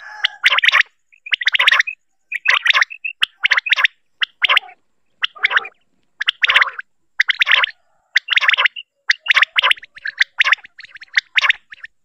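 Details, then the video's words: Quail calling at night, possibly a female rain quail, in harsh, buzzy, doubled notes repeated about once a second at a steady pace, with no other sounds. "Bater ki awaz بٹیر کی آواز"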